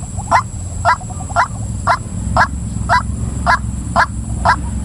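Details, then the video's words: Female white-breasted waterhen giving a steady run of harsh, croaking notes, about two per second and nine in all. A low rumble runs beneath them and a constant high electronic whine sits above. "suara ruak ruak betina"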